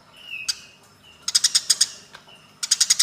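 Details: Eurasian tree sparrows in a fight give a single sharp chirp, then two dense bursts of quick, harsh, repeated chirps, separated by brief faint whistled notes.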